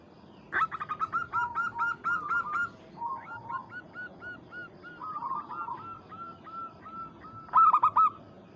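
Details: Local zebra dove calling a rival: rapid series of short, bubbly coos near one pitch, several clipped notes per second, with a louder rolling burst near the end over a faint steady background hiss.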